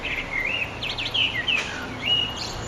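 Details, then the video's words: Eurasian blackbird singing at sunset under an eastern sky on 9 June 2011: fluty, warbled phrases that rise and fall in quick succession, with a few thin higher notes, over steady low background hum. "Blackbird's Song"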